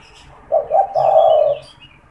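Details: Spotted dove kept captive and cooing constantly, meant for drawing in wild doves: a soft coo of two short notes then a long rolling tone, with faint high bird twitters around it.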